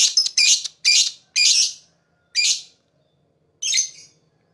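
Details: Lovebird, described as a fighter, chirping to attract other birds: loud grating high squawky chirps in quick bursts, then longer pauses between single harsh notes.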